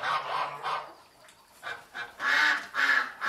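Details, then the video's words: Geese giving loud, harsh honking screams in quick bursts, several calls close together with a brief quieter gap in the middle, strong nasal tone throughout. "How geese scream/goose sounds"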